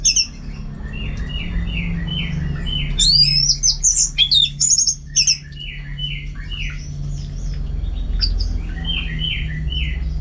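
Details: Caged orange-headed thrush from North Bali repeating a series of short descending notes, broken by a loud burst of high twisting whistles mid-clip, over constant low room hum.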